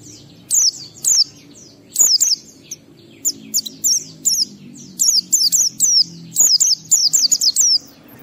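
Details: Oriental white-eye singing ngalas-style song, a recording played to lure caged white-eyes to sing: very high, thin chirps that sweep down, grouped in quick bursts of two to five notes, repeated about every second, with a faint low hum behind.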